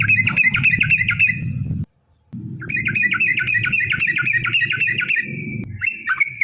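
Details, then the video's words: Sooty-headed bulbul in long, rapid 'ropel' song used as a lure to make other birds respond; fast chattering runs of bright notes, briefly interrupted, over a background rumble of noise. "trucukan gacor TARUNG ROPEL PANJANG pancingan trucukan agar bunyi"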